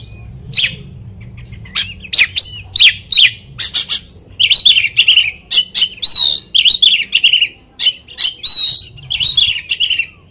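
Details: Oriental magpie-robin song used as a lure to provoke other magpie-robins: rapid series of sharp, high chips and short bursts, growing denser and louder into scratchy, slurred phrases, with a low hum underneath.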